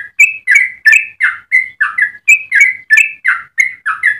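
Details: Yellow-vented bulbul pouring out a rapid, melodious song used for training birds and prompting other bulbuls, made of crisp, rich chirps that step up and down in pitch, repeated roughly three per second.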